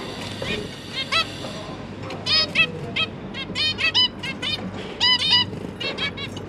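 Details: On 1 October 2022, zebra finch parents feed their three freshly hatched juveniles: after a quiet start, loud nasal honking beeps arrive in pairs and short runs, about forty a minute, with a low hum beneath.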